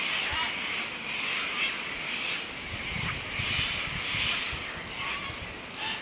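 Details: A large flock of sulphur-crested cockatoos in the Australian bush in late afternoon near dusk screeches harshly in overlapping bursts every second or so, a loud, raucous chorus over a faint low rumble.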